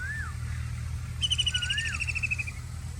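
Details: A White-throated kingfisher gives a quick, bright chattering trill that falls slightly in pitch, preceded and accompanied by two soft, arching whistles from another bird, with a low rumble beneath.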